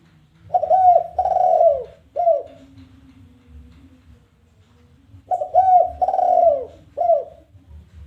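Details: Spotted dove challenge call for luring other doves to call; two phrases of mellow low coos, each a quick note, a doubled coo, a drawn-out downward coo and a short closing note, separated by about three seconds of quiet.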